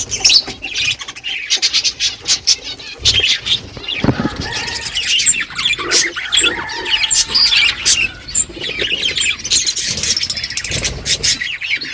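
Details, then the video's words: Morning budgerigar flock chattering among themselves: dense overlapping high chirps, squawks and warbles, with sharp clicks and some wing flutter throughout. "Budgies flocks in beautiful morning 🌄 birds talking to each other"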